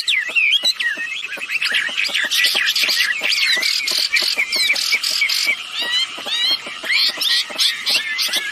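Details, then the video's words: Female and male wambi birds in full voice, meant to lure other birds into calling: dense twittering with looping whistled phrases and many short sharp clicks throughout. "Suara burung wambi betina jantan gacor"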